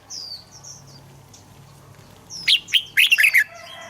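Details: Red-whiskered bulbul singing to stir other caged birds into song: after quiet, a burst of loud slurred whistled notes near the end, with faint high twittering from other birds before it.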